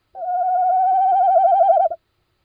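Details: Night recording of a little owl on 17 March 2016 at 01:56, giving one long quavering hoot, steady then slightly rising and wavering before breaking off, in otherwise quiet surroundings.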